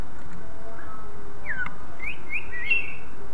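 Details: Short run of greater green leafbird song, used to draw other leafbirds into singing: a falling whistle followed by several quick rising and twisting whistled notes, set against constant low background noise.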